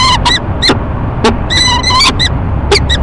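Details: Peregrine falcon pair courting at an urban nest box in Rochester, New York, March morning; a few separate harsh ee-chup notes and a brief thin whining call, with faint low rumble behind.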